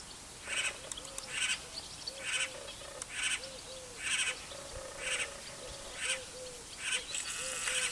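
A Great Spotted Cuckoo gives harsh, grating chattering bursts, roughly one a second, over a soft background with faint low tonal notes.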